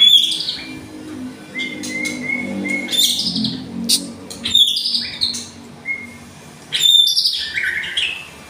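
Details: White-rumped shama of the "seri F" line, hit by the song of a wild forest shama: loud bursts of rich whistled phrases and sharp high notes, broken by short even whistles and pauses, over a low background hum.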